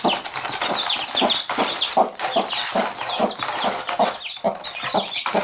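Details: A hen and her brood: rapid, somewhat irregular low clucks, about two or three a second, beneath constant high chirping from the chicks.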